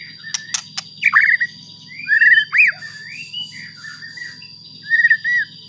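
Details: White-rumped shama song used as bait to anger other shamas: scattered loud whistled phrases, slurred and warbling, with sharp clicks at the start and a low rumbling hum underneath.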